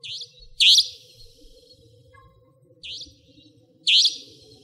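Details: Nocturnal Savanna Nightjar in Pingtung County, Taiwan, 2014–2015, giving sharp, high, rising rasping calls, each a quieter note then a loud one, the pairs about three seconds apart, with low background hum.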